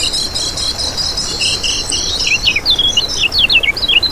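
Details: Kecial kuning, the lemon-bellied white-eye, used as a lure: a shrill steady buzzing fills the start, then quick high chirps and downslurred twitters take over.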